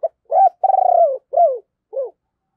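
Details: Decoy spotted dove calling to prompt other doves to coo: a short note, an arched hoot, a long throbbing pulsed coo sliding down, then two falling coos, low and mellow.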